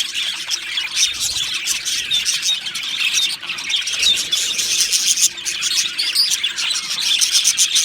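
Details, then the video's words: Dense twittering from two male Australian budgerigars: busy, high chirps and short squawky notes run without a break, with a brief dip in volume near the middle. "2 Male Budgies Birds Sounds | Australian Budgies Birds chirping sounds"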